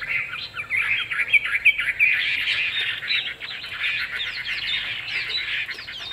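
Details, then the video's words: Chinese hwamei, a caged songbird with a fig-leaf-shaped tail, sings a rapid, continuous stream of warbled, slurred whistles that run up and down without pause, with steady faint background hiss. "Họa mi đuôi lá vả bóng bộ đẹp hót hay"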